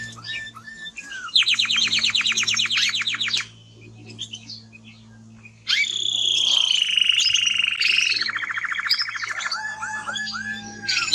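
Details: Male timbrado canary: a buzzy, rapid rattle, then near silence, then a loud return with a high sweeping note, a level rolling tour and a lower series of hooked whistles; faint low hum behind.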